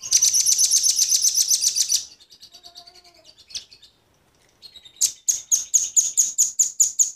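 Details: Lure call of velvet-fronted nuthatches, male and female, for wild birds: a dense two-second run of piercing high notes, a quiet stretch with soft faint chips, then another fast rattling series of sharp high notes.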